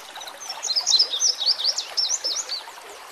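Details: White-rumped shama song for training birds, set against natural ambience: a fast, jumbled run of high, twisting warbled notes, partly masked by a constant soft rushing background.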